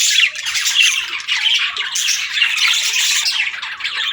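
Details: Budgerigars warbling: a dense, continuous high chatter of squawks, chirps and buzzy trills that runs unbroken through the clip.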